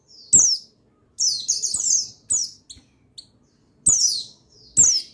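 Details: Male buxtoni white-eye song meant to spur lazy white-eyes to sing: rapid high-pitched twittering phrases, several sharp downslurred notes, with brief gaps and quiet short chips between.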